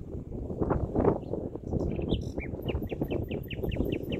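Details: Common nightingale singing unseen in spring 2019 in Holland: after a rumbling start, a run of sharp, rising whistled notes repeated quickly and evenly, with high ticking notes above, over steady low wind or traffic noise.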